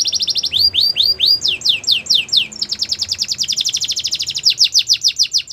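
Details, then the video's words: Canary of the Belgian breed delivering quick bright notes, then rising-falling swoops repeated several times a second, flowing into a long run of fast, evenly spaced trilled notes. "Melodies canary bird song | Belgian canary singing"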